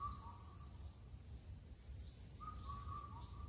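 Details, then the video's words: Indian cuckoo calling at Cheonmasan, Incheon, Korea, a bird said to call all night as spring ends. Clear whistled notes keep a steady beat, one short phrase, a pause, then another phrase, over low rumbling background noise. "듣는 사람마다 다르게 들린다는 맑고 청아한 #검은등뻐꾸기소리"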